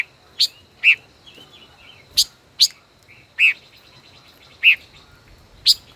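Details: Intense song duel from a five-colored bird, a decoy caged for over a year: rapid series of sharp high chips and fuller chirps, seven or more in six seconds, light trills between.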